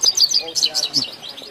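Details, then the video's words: Grey-headed goldfinch singing in Tajikistan: a brief burst of high twittering notes, quick chirps and short slurred whistles packed close together. "singing Gray headed Goldfinch"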